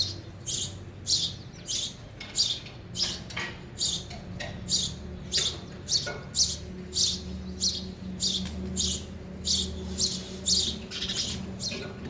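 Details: Sparrows eating at a feeder, giving sharp, high chirps in quick, uneven bursts of about one and a half per second throughout, over a low steady hum.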